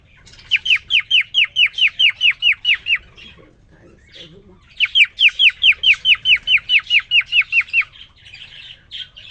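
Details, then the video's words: After three days kept alone, a male cockatiel twitters to a new female companion indoors: two long runs of rapid descending whistled notes with a quiet gap between them. "The most amazing, and magical Cockatiel twitting you would ever hear."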